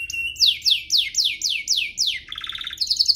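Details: Canary singing for young canaries to learn from and for coaxing caged birds into song. Seven bright downward-slurred whistles, evenly spaced, give way to a rapid pulsing trill and a high twittering roll.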